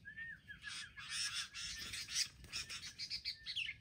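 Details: Wild sooty-headed bulbuls attacking together as a group: a short whistled note at the start, then a stream of harsh, scratchy chatter bursts repeated in quick pulses, with a few thin high notes near the end.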